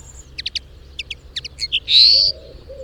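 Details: Lesser redpoll in the wild, giving clusters of dry, high chattering notes followed by a loud, drawn-out buzzy note lasting about a third of a second; faint low cooing afterward.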